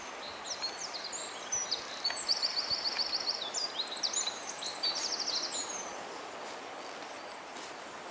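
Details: A Eurasian wren hidden in the grass gives a quick run of very high, sharp notes broken by fast rattling trills for about six seconds, over a steady outdoor hiss.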